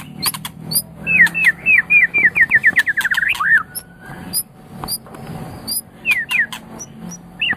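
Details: White-rumped shama of the Medan type, a champion-quality caged songbird, singing a rapid series of rising whistled notes around one second into the phrase, then scattered sharp high clicks and short whistles with pauses between.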